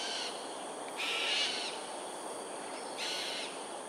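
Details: Cockatoos in aerial display at Sungei Ulu Pandan, Singapore, on a January morning at 7.43am: two harsh, noisy screeches, the first lasting under a second, the second shorter about two seconds later, over a steady background hiss.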